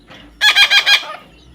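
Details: Parrot outdoors, uttering a single quick burst of four strident, evenly spaced harmonic syllables lasting about half a second, preceded by a faint soft note.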